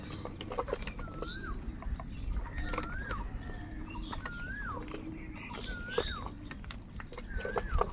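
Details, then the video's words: A crow, one of crows fighting for food, gives five drawn-out, falling-then-rising caws, about one every one and a half seconds, over a steady low rumble of background noise. "Crow birds unity anger and Sound | কাকের ডাক Crow Sound Crow ki Awaz"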